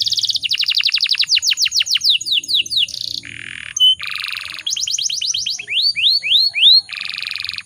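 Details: Canary hen in heat luring males into song: long rapid trills of descending notes, buzzy rolls, rising swooping whistles, and a closing buzzy block, all loud and continuous.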